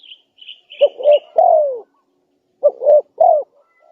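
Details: Spotted dove calling in a lure recording for wild doves: two low coo phrases of short notes and a falling final coo, with a thin higher chirping from another bird at the start.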